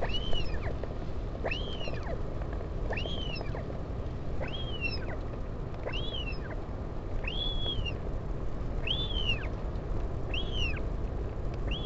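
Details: Parent northern royal albatross visiting a chick at Taiaroa Head, Dunedin, New Zealand, 16 July 2019. A long, steady series of about eight arched whistled notes, each rising then falling, repeats every 1.5 seconds over low background rumble.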